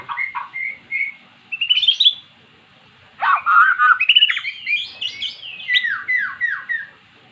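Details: Magpie-robin, a kept bird that had never sung, singing after being lured with recorded magpie-robin song: whistled phrases near steady pitch, a pause, then a loud burst of rapid, varied notes and falling slurred whistles repeated in quick succession.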